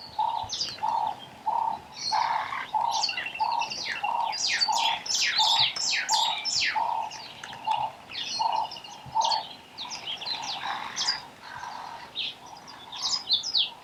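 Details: Meyer's parrots gathered at a waterhole in Botswana give a busy stream of sharp, squeaky, high chirps and screeches. Steady, low, repeated cooing from doves runs through the whole recording.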